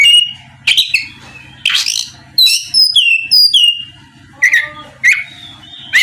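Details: Song of an oriental magpie-robin aimed at prompting a rival, with long clean whistles, harsh rasping bursts and short chips spaced about half a second apart over a buzzing low hum.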